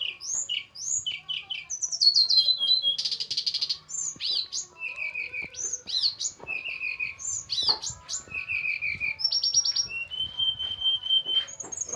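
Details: Javan tledekan gunung flycatcher kept for pairing, described as small but sweet-voiced; rapid, varied song of high whistles, sharp upslurred notes, trills and buzzy bursts tumbling continuously, with short rattling passages and faint clicks behind.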